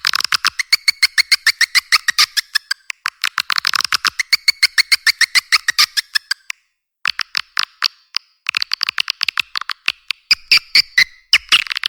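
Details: Swiftlet lure sound for nest houses: a steady train of dry clicks, roughly two per second, with some chirpy overtones, a short pause, then more clicks mixed with brief twitters.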